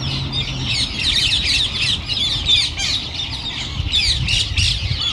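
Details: Flock of about 1,000 rose-ringed parakeets, descended from escaped pets, entering its winter roost in a Japanese city. Dense, continuous shrill screeching from many birds at once, over low rumbling city noise.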